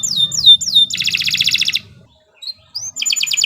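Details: Canary song for masters: three descending whistled slurs, a fast buzzy trill, a short silence, two soft rising whistles, then a renewed rattling trill.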